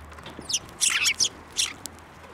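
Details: Sparrows flying onto a hand to be fed at a Tenmangu shrine on 15 March 2024: a short burst of bright, harsh chirps in quick succession, several overlapping notes within about a second.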